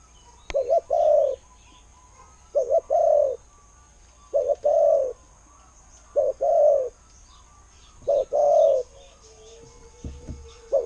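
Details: Spotted dove cooing in the 'khu-ang' style: five low phrases about two seconds apart, each a brief doubled note run into a longer mellow coo, with a faint high hum and a low tone near the end.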